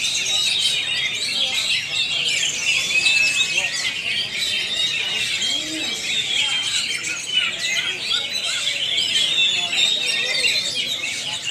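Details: Oriental magpie-robin, a newly arrived bird not yet conditioned and hung up straight away, singing a dense, unbroken stream of high twittering and slurred whistled notes that run on without pauses throughout.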